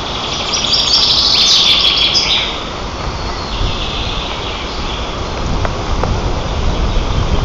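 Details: At a white-tailed eagle nest 35 m up in Nizhnyaya Kama National Park, Tatarstan, on 18 June 2024, where eaglets tease a sibling and flap wings: a quick run of thin, high chirps, then wind rumble with faint clicks.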